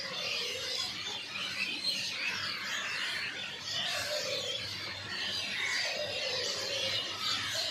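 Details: Many birds chirping together in a dense, continuous chorus of high twittering notes, with a faint lower warble beneath and steady outdoor background.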